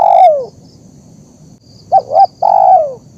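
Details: Zebra dove, a recording for training and luring: the tail of a descending coo, a pause, then two quick rounded notes leading into a drawn-out coo that falls in pitch, with a faint high tone behind.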